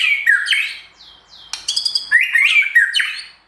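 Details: Captive white-rumped shama singing in a simulated singing contest, its song packed with imitations: loud, varied whistles sliding and twisting between middle and high pitch, with a burst of sharp rapid chattering notes in the middle.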